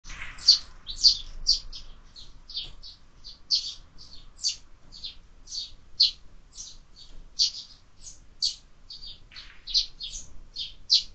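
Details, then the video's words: Sparrows at a feeder mounted on a window, where birds are fed year-round, giving short bright chirps about twice a second, steady and unbroken across the stretch with little background noise. "Воробьи в кормушке"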